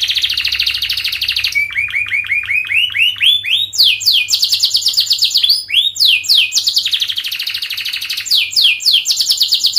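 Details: Canary song for teaching young birds to sing: a fast high trill, then a run of rising swooping whistled notes, followed by bursts of rapid chattering trills and another dense rolling trill.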